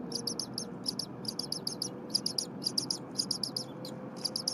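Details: Bald eagle eaglet at the Berry College nest, 8:00 AM on 23 January 2022, chirping incessantly while its mother returns and preps stiff, likely frozen leftover prey. The eaglet is already well fed. Clusters of sharp, high, thin chirps repeat in quick bursts over a low background hum.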